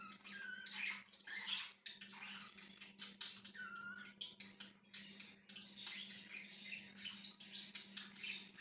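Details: Budgerigar chirping, dated 1/6/2023: dense, scratchy chattering warble with sharp clicks and a few short slurred whistles, almost continuous throughout, over a steady low electrical hum.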